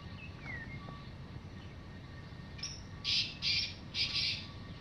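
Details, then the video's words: Free-living black francolin in the evening, giving a phrase of four harsh, rasping notes, the first short and the rest evenly spaced, after a faint distant whistle from another bird. "Kalay Teetar ki Awaz"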